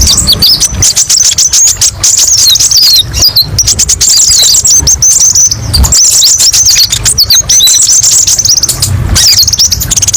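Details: High, rapid chattering song of a kolibri ninja sunbird, sharp chirps and quick trills in dense bursts with brief gaps, from a recording meant to train other birds.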